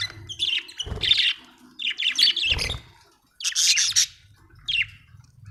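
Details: Happy budgie chattering in quick scratchy bursts mixed with short whistled chirps, grouped into phrases with gaps between, over a faint low hum and occasional knocking sounds.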